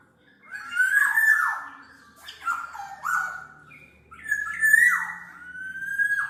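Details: Black-naped oriole song recording for training caged songbirds and luring: rich fluty whistled phrases with harsh, downward-sliding nasal notes in two bursts separated by a short pause, over a faint low hum.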